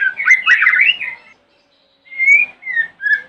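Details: White-rumped shama singing in the morning, a lure song meant to provoke other shamas to answer: a dense burst of rich, rapidly varied whistles, a brief silence, then three shorter clear whistled phrases.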